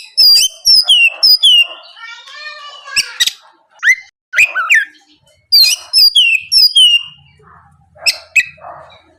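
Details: Morning song of an Oriental magpie-robin, played as a lure so rival birds reply: bright descending whistled notes in quick series, a harsh rasping burst, then more sharp slurred whistles and clicks, with brief silences between phrases.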